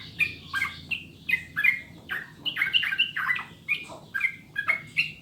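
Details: A sooty-headed bulbul pours out cheerful song in a tutor recording for prompting other birds to sing: rapid, liquid whistled phrases of two or three slurred notes, repeated roughly every half second.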